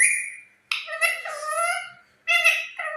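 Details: Talking parrot chattering in voice-like, harmonic phrases: a short drawn tone, then a longer jumble of warbled syllables, a pause, and a final quick burst of similar babbling notes, clear and close.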